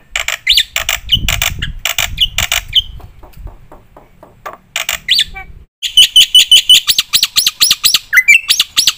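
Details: Black-winged myna singing, as a model for training other birds; loud harsh chattering phrases with rising whistled notes, a brief quieter gap of faint clicks, then rapid rhythmic chatter and a long level whistle.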